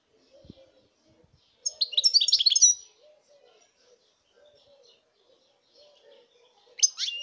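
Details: Goldfinch twittering in a bright, jangling burst of about a second, followed by another starting later, with a soft repeated low murmuring sound between phrases.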